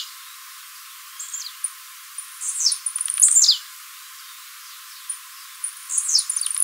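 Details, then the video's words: Blue-black grassquit of the Mateiro type singing, recorded live for fibra training: faint high ticks, then two loud buzzy notes sweeping down from very high pitch, about three seconds apart. "TIZIU MATEIRO CANTANDO PARA TREINAMENTO DE FIBRA"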